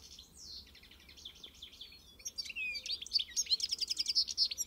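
A European goldfinch sings a fast, tinkling run of high twittering notes and liquid trills, growing louder and more rapid toward the end.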